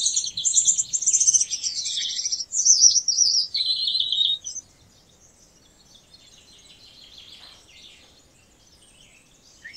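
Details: About four seconds of loud, high, buzzy Gouldian finch song made of wavering hissing notes, followed by near silence with only faint scattered distant chirps.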